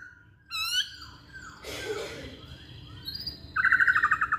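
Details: Masked laughingthrush used as a lure for other songbirds: a short rising whistle, a brief rough burst of noise, then a fast pulsed series of bright notes repeated several times a second.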